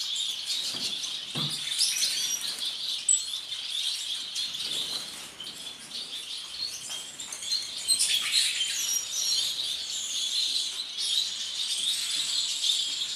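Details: Violet-mutation masked lovebird from a breeding stock, uttering rapid, irregular high chirps and sharp squeaks, about three per second, with scattered thin whistles and a few soft knocks.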